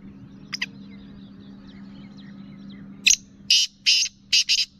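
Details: Calling female Black francolin, a voice used to excite males: two faint scratchy notes, a pause, then a loud series of four or five coarse, buzzy notes at an even pace over a constant low hum.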